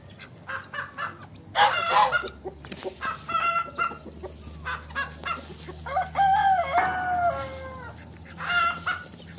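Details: Several chickens in a farmyard: steady clucking throughout, loud cackling bursts, and a longer falling call near the middle, over continuous low background noise.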